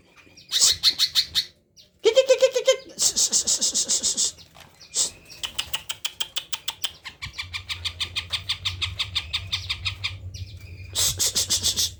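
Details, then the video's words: Tame greater green leafbird, kept as a songbird, singing as soon as it is approached, its song packed with fill-in phrases: loud bursts of rapid high trills and chattering notes, a brief pause, then buzzy rattles and fast ticking series, with a low steady hum underneath. "burung cucak ijo ini jinak klo didekati langsung bunyi isian melimpah"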